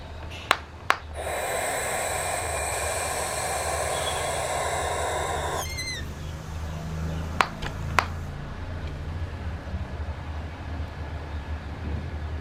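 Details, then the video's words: A barn owl gives one long, harsh, hissing screech of about four seconds, followed by a few brief chirps, sharp clicks and a steady low hum. "Barn Owl"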